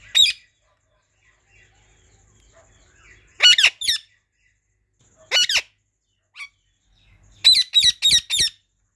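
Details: Pair of Indian ringneck parakeets, pet birds eating pomegranate and calling loudly: harsh, high screeching squawks in bursts, one at the start, a cluster midway, another shortly after, then a rapid run of four near the end, with quiet room between.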